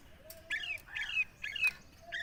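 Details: Parrot kept as a talking bird, giving four short harsh chirping squawks with bending, slurred tones, spaced about half a second apart, faint and fairly distant, over a low steady hum.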